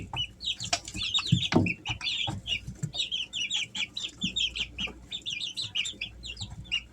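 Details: Easter Egger chicks, three weeks old, kept at home in summer: a dense flock chorus of short high peeps and chirps, many overlapping, with scattered low thumps and scratching sounds beneath.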